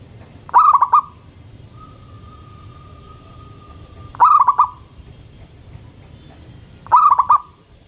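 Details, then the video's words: Local zebra dove singing in the morning: three short stuttering coo phrases, each a rolling burst of four quick notes ending in a held hum, about three and a half seconds apart, with a faint steady tone between them. "Perkutut Lokal Gacor Manggung dipagi Hari bikin yang lain ikutan BUNYI"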